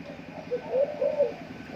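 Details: Zebra Dove set up as a decoy in a trap cage: a brief run of soft, low, mellow cooing notes in quick succession, heard over a steady background hum.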